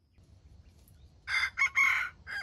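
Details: Red junglefowl used as a trap decoy and heard while fighting; after a near-silent start, a burst of short harsh notes precedes a longer, strained note and a final clipped note, all thin and high-pitched.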